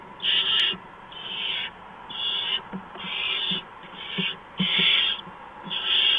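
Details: Barn owl at a nest box on a live nest camera, 4:26 AM on 6 March 2015, as an adult brings a mouse. About seven harsh, breathy hissing screeches, each roughly half a second long, arrive nearly once per second with short quiet gaps.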